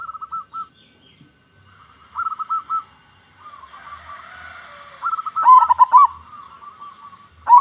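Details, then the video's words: Local zebra dove singing, used to lure other zebra doves: short clipped coo phrases separated by quiet gaps, with a soft hiss in the middle and a louder, rapid bubbling flourish near the end. "Perkutut Lokal Gacor Suara Besar"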